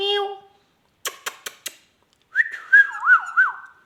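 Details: Talking rose-ringed parakeet giving a short meow-like note, four sharp clicks, then a looping whistle that rises and falls three times.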